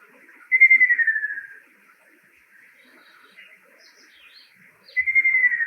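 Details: Male Ruddy kingfisher song in Tainai, Japan, where it is a summer migrant: a rolling, trilled whistle sliding gently downward and fading over about a second, repeated after four-second pauses. It is said to call in the rainy season or before rain.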